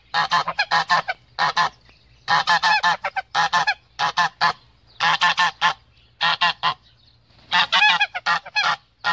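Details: A male goose guarding its female gives loud, grating honks in groups of three to five, each group followed by a quiet pause, with the pattern repeating throughout.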